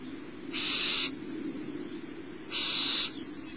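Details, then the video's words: Young barn owl, smallest of the brood at Starr Ranch, fed by its mother mid-morning on 6 March 2011; two loud hissing screeches about two seconds apart over a low steady hum. "Starr Ranch Barn Owls: Owlet #6 Feeding"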